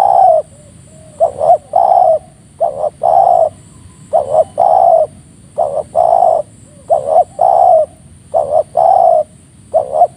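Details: Wild forest spotted dove with a strong, crisp voice, cooing in the morning near a decoy bird at a trapping spot in Indonesia: repeated rhythmic coo phrases, each a quick double note then a longer rounded coo, about every second and a half, steady background hiss.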